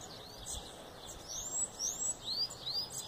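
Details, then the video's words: High, thin rising slurs from a Bananaquit, several squeaky upswept notes repeated irregularly over a quiet, hissy outdoor background. "Mudinho de macaíba, sibite canela de fogo,sibite sebinho, sibite cabacinho."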